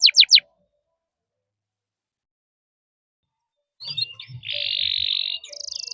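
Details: Canary chirping and rolling for training young birds to sing: three quick sharp notes, a long pause, then scattered chirps leading into a sustained buzzy trill and a higher thin roll.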